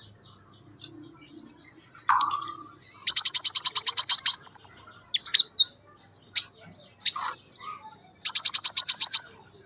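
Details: Crimson sunbird singing energetically in the wild, giving long, loud runs of very high, rapidly repeated ticking notes, separated by short high chips and one lower downslurred note.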